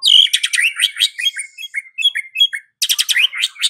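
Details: White-rumped shama song used in the afternoon to provoke a silent bird into singing: rich, varied phrases of rapid whistles, chattering trills and sweet upslurred notes, delivered in dense bursts with a short pause.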